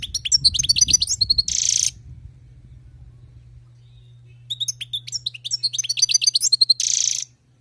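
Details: Wild-caught European goldfinch singing: rapid bursts of high twittering, tinkling notes with a harsh buzzy rasp at the end of each phrase, two phrases split by a quiet gap, over a steady low electrical hum.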